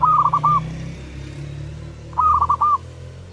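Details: A singing zebra dove gives two brisk, trilled cooing phrases a couple of seconds apart, each made of quick stuttering notes. A steady low mechanical hum runs underneath throughout.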